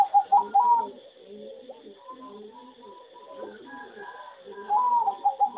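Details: Farm-raised zebra dove bred for singing contests, described as having a weak melody. Brief fast strings of clipped coos open and close the recording, while quieter overlapping cooing from a crowd of doves fills the middle.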